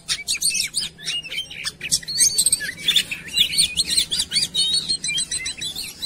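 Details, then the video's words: Oriental magpie-robin lure song for getting birds to sing fast. Opens with rapid clicking chips, then flows into a steady series of wavering, warbled whistles repeated in quick succession. "PANCINGAN KACER CEPAT GACOR"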